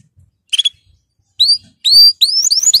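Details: A canary's training song: after a short chirp, a series of quick upward-slurred whistles repeats faster and faster toward the end.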